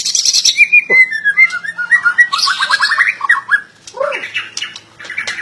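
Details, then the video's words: White-rumped shama pouring out a fast jumble of chattering and whistled notes, some dropping sharply, with brief quiet gaps between phrases. "burung MURAI BATU"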